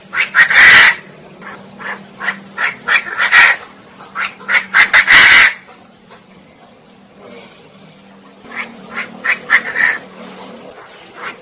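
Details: Female Chinese francolin calling in rapid bursts of loud, harsh notes over several seconds, then quiet, then a softer run of similar notes.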